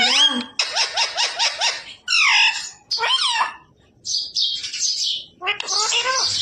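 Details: Talking parrot imitating human words such as roti, radhe radhe and sita ram: rapid squawky syllables and speech-like phrases, some rising and falling, along with high harsh screeches.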